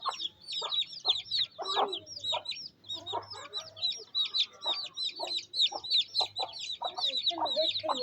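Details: Rainy-day feeding in a Pakistani village: a mother hen clucks in low bursts while her chicks peep continuously in high, falling notes, over a faint low hum.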